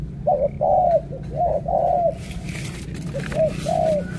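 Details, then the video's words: Spotted dove from Cà Mau, Vietnam, cooing a phrase of several soft, hollow notes. Two short notes are followed by longer drawn-out coos, then a quieter repeat of the pattern over a steady low hum. "Thổ cọp âm khủng hình như bồ câu"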